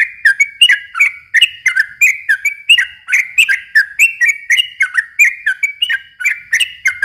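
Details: Yellow-vented bulbul in unbroken, energetic song meant as a lure for young birds; a dense chain of warbling whistled notes, steady and quick, each note sliding down in pitch.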